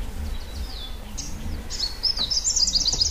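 A White-bellied Sunbird gives thin, high whistled notes, then breaks into a fast, sibilant twittering trill, over a low background rumble.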